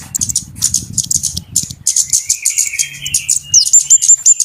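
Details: Trapping lure of busy flowerpeckers: quick, high, dry tick notes over a low murmur, a softer buzzy warble in the middle, then a sharp descending note and evenly repeated clear whistles.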